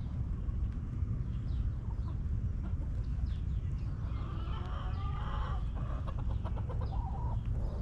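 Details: Hens in a back yard coop give a run of soft, rapid, broken clucks in the second half, clustered and overlapping, over constant low-pitched ambient rumble.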